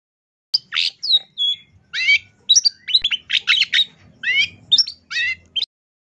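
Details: Long-tailed shrike master recording for training songbirds: a string of varied harsh, buzzy and scratchy phrases mixed with sharp rising whistles, each burst brief and separated by short pauses.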